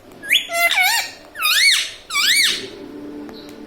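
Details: Talking pet parrot saying "mummy" and "papa": three loud, whistled, rubbery syllables swooping down then up, like mimicked words, indoors.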